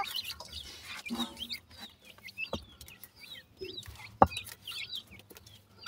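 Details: Grey francolin chicks while feeding: short, high chirps, rising and falling, come in loose bursts. A few low clucks sound in the gaps, and sharp clicks cut through, the loudest near the end.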